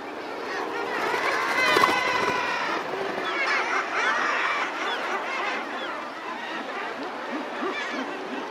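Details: Razorbill taking off from a ledge: a brief burst of wing flutter early on, then soft, drawn-out growls and low, grating notes repeated several times a second, with other birds calling in the background.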